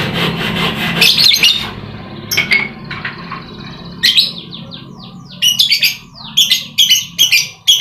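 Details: Lovebird chatter meant to provoke silent lovebirds into singing: harsh buzzy bursts at first, then after a pause a lively string of falling squeaky notes and clipped chirps, louder toward the end.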